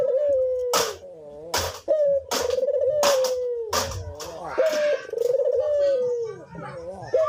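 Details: Cinnamon-headed green pigeon singing actively, giving a string of short falling whistles separated by sharp percussive knocks, then longer trembling whistled phrases.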